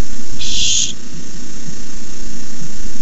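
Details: Begging screech from a barn owl nest, recorded by nest cam on 29 May 2015 when a rat arrives as treat number four; one broad, rasping hiss of roughly half a second early on, then only low hum.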